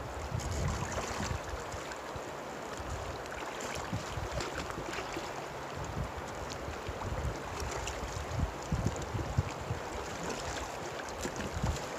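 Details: Steady rushing water and wind buffeting the microphone, with low rumbling and no animal calls.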